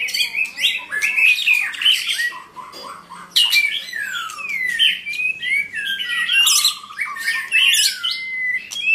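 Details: Singing white-rumped shama: a rich string of clear downslurred whistles, sharp clicks and scratchy notes, phrases loud and rapid with short gaps between them.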